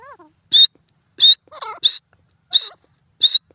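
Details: Grey francolin giving a loud, repeated series of sharp, rising, shrill whistles about every 0.65 seconds, interspersed with softer, lower, quavering notes, after a brief descending note at the start.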